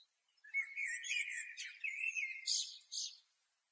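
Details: Blackbird from Asia giving a continuous warbling song lasting about three seconds, a steady stream of chattering notes layered with higher squeaky twitters, then stopping cleanly.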